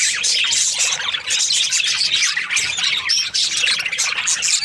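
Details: Chattering of Australian parrots held as breeding pairs: many budgies at once, squawky high chirps and scratchy warbling layered densely without a break.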